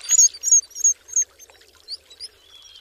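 Black guillemot giving four thin, very high whistles about three per second, then fainter twittering notes, over a soft watery background.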